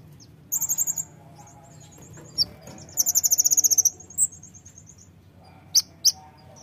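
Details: Brown-throated sunbird song used to provoke birds to sing: high, thin, rapid trills of repeated notes in short bursts, with scattered sharp chips between phrases.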